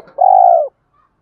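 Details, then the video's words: Single long, steady, purring coo from a spotted dove, held flat then dropping at the end, about half a second long, low and mellow. "Tiếng chim cu gáy kích bổi mới hiệu quả"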